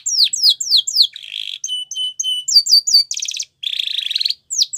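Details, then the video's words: Singing Spanish Timbrado canary, used to train young birds: quick downward-sweeping whistles, a buzzy trill, spaced metallic chink notes, then a dense rattling roll and a final whistle. "Spectacular SPANISH TIMBRADO Canary, This Canary Invites All Birds to Sing"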